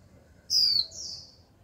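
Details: Female Japanese white-eye kept as a cage bird, calling 'chíu' to provoke males to sing: one sharp, high, descending whistle, then a softer, buzzier trailing note.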